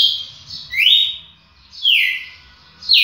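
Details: Champion red-cowled cardinal song: bright, clear whistled notes swooping down in pitch, delivered in three separated phrases roughly a second apart over a faint low background hum.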